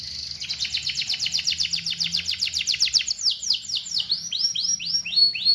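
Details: Canary song: a fast series of bright, high chirps repeated about four times a second, then slower sweeping downslurred whistles, clear and without other sounds.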